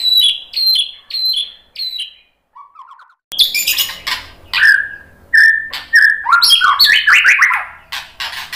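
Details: White-rumped shama song used to provoke fighting males: clear whistled notes near 4k repeated four times, then a short low phrase and a dense burst of varied, rapidly alternating whistles and harsh chips.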